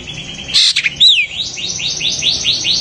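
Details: Long-tailed shrike call reputed to make other shrikes excited and start singing: a buzzy burst and a bright slurred whistle, followed by a quick series of downward-sweeping notes.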